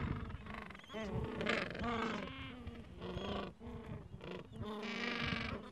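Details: Gentoo penguins nesting in a Falkland Islands colony, chicks two to three weeks old, mild afternoon; rough, throaty braying calls rising and falling in several bursts amid the constant hubbub of the colony.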